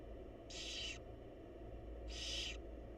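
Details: Wild barn owls, a mother feeding her chicks in a nest box: two breathy, harsh hisses, each about half a second long and about a second and a half apart, over a low steady hum.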